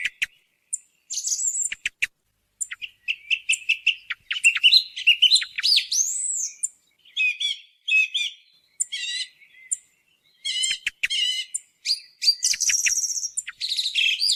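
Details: Hunting lure recording of a song thrush delivering a long, varied song: clicking and chattering notes, whistled slurs and buzzy trills, with many short phrases repeated before switching, broken by brief pauses; otherwise quiet.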